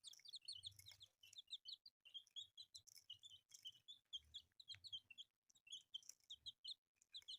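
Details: A group of freshly hatched chicks keeps up a nonstop chorus of piercing, high chirps and twittering peeps, closely packed and overlapping, with occasional low thuds and shuffling underneath.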